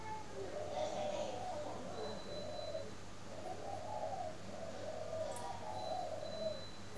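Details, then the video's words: Spotted dove from a bird-keeping garden in Ba Vì district, Hanoi, northern Vietnam, cooing in the morning: low, mellow coo phrases repeated almost continuously, each rolling over about a second, with a faint steady hum behind. "CHIM CU GAY HAY mỗi buổi Sáng"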